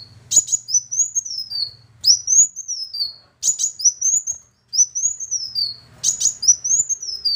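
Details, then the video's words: Sunbird song played as a lure to get a quiet bird singing. Very high, thin phrases of sharp downslurred notes and wavering whistles, repeated about every two seconds, with faint low hum between phrases. "Pancingan Kolibri Wulung Malas Bunyi"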